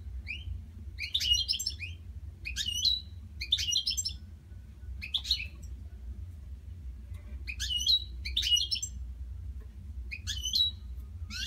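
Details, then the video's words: Several caged European goldfinches sing at night without stopping. They give bright, tinkling, twittered phrases, each about half a second long, repeated every second or two with brief pauses. A steady low hum runs throughout. "Mis jilgueros por la noche no paran"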